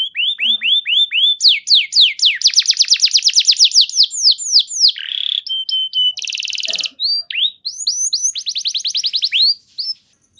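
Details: Canary singing clearly to trigger other canaries to respond: downslurred whistles, a dense rolling trill, a buzzy note, flat piping tones, a harsh rattle and another fast trill.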